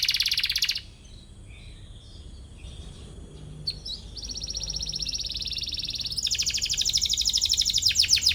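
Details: Canary singing hard to challenge a rival, used to train young canaries; a buzzy trill breaks off into near silence with a few soft notes, then resumes as a long, fast, rolling high trill.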